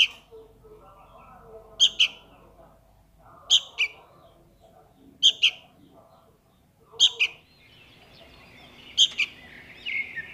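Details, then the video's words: Chick of the sooty-headed bulbul begging from its parent: sharp paired chirps repeated about every 1.7 seconds, with faint murmuring background and a rising hiss near the end. "SUARA ANAK KUTILANG MEMANGGIL INDUKNYA"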